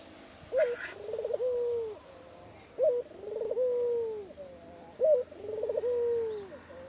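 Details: Spotted dove with an unusual call that adds extra koak notes, heard three times about two seconds apart: a sharp rising note, a buzzy rolling trill, then a long, level, falling coo.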